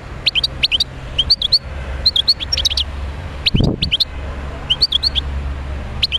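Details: European goldfinch, a wild bird from Médéa, gives rapid tinkling twitters and chirps in repeated short groups, one low thump heard midway over a faint hum.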